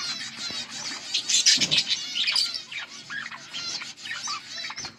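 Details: Pair of budgerigars warbling steadily, a busy stream of twittering chirps, rising squeaks and chattering notes, loudest in the first two seconds.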